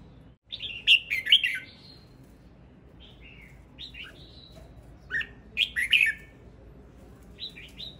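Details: Singing male red-whiskered bulbul gives lively, slurred whistled phrases, each a quick tumble of rising and falling notes, delivered in several separate bursts over eight seconds against a faint steady background hiss.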